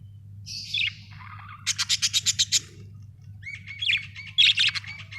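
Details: Budgerigars chirping, with a burst of quick, buzzy pulsed notes repeated about eight times, then warbled whistles and chatter, over a low steady hum.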